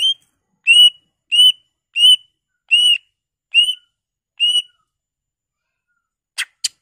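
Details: Greater green leafbird used as a singing lure for other leafbirds: seven identical clear arched whistles repeated evenly about every 0.6 seconds, then two short sharp clicks.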